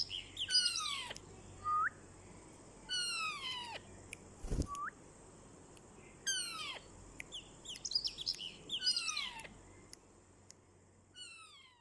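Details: Rose-ringed parakeet, a talking ringneck parrot, delivering a run of harsh, falling squawks in bursts with a few short rising notes, one sharp thump midway and low hum throughout.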